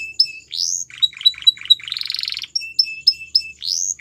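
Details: Varied singing from a Belgian canary: clear whistled notes, short choppy chips, a buzzy rolling burst, then spaced high whistles and upward-swelling sweeps.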